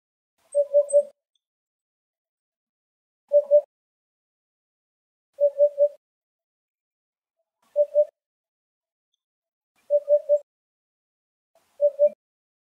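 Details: Eurasian hoopoe (Upupa epops epops) searching for food in Greek countryside. It gives a steady series of soft, hooting 'oop' notes in groups of two or three, each group repeated about every two seconds, against a quiet background.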